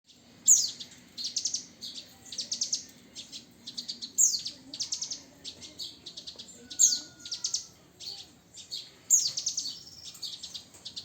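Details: Javan bush lark, nine years old, singing in quick bursts of high, sharp chirps and buzzy trills, each phrase opening with a bright downslurred note, phrases repeating every two to three seconds, with a soft low hum beneath.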